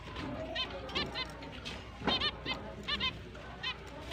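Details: Finches at breeding start in mating season, October 29, 2023, chirping: clusters of nasal, honk-like short notes, often in pairs or triplets, from multiple birds over a continuous low background noise.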